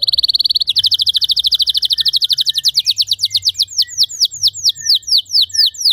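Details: Canary song for training other canaries toward long, clean trills: a very fast buzzy trill gradually slows into distinct, high, down-slurred whistled notes.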